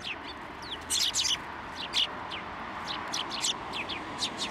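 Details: Sparrows at a Tenmangu shrine in Japan on 16 December 2023, coming to a hand for food; clusters of bright, high, downslurred chirps in quick runs, spread through a noisy outdoor background.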